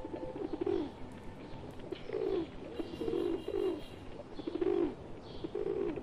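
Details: In India a pet pigeon sits among wild pigeons; deep throaty coos come roughly every second, steady and repeated, with faint twittering high above.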